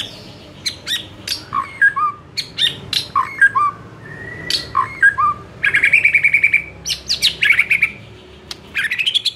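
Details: Murai song used as training material to spur caged murai into combative reply: loud, rich, varied phrases mixing sharp chips, slurred whistles and buzzy rapid trills, delivered in quick bursts with brief pauses over faint indoor background noise.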